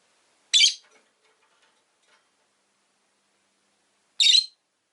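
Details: Two loud, harsh, rasping chirps several seconds apart come from a pet rosy-faced lovebird kept in a window-side cage, with near silence between them.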